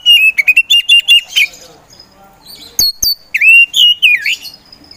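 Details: Oriental magpie-robin of the poci type, a competition songbird, singing energetically: a fast chatter of whistled notes, then sharp clicks and loud swooping whistles that dip and rise.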